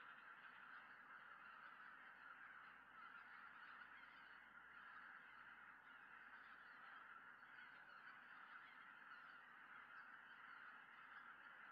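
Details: Greater white-fronted geese flying back together in the evening to a Tohoku lake in Japan, early December, a peregrine falcon watching them. A sustained, even roar of countless overlapping honking calls runs throughout.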